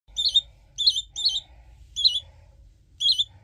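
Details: Talkative budgerigar chick kept as a pet, giving short high chirps in bursts of two or three, about five groups over a few seconds, with a faint low hum underneath.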